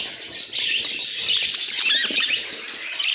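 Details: Budgerigars kept as pet birds give a fast stream of high, squeaky chirps and short whistled notes, several birds overlapping, with soft rustling and fluttering underneath.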